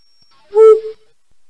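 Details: A Flammulated Owl in Idaho gives one soft, low, hollow hoot lasting about half a second, with nothing else heard.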